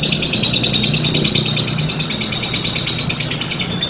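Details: A lovebird's long ngekek trill: a steady, very fast, high chattering rattle with soft low background noise throughout.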